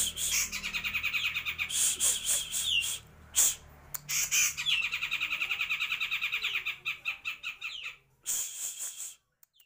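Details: Grey-cheeked bulbul (cucak jenggot sebrang) from Purbalingga in full, constant song: long stretches of fast, pulsing high-pitched chattering with short gaps and an abrupt sharp note between bursts, then a final burst before stopping.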